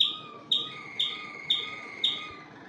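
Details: Malinois Waterslager canaries singing in an aviary: sharp bright notes repeated about every half second over sustained liquid trilling tones.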